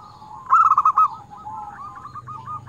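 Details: Zebra dove of a local strain, kept as a prolific singer with crystal tone and used to lure wild doves. One loud burst of quick, rolling cooing notes, then a softer run of stuttering coos trailing off.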